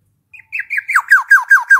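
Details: Black-naped oriole opening with short soft notes that build into a rapid series of loud, nasal, falling slurs repeated about every fifth of a second.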